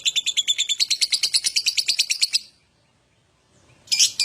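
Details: Lovebird ngekek song used as a prompt to get other lovebirds singing: a fast run of about twenty shrill chattering notes for two and a half seconds, then a pause and a brief harsh burst.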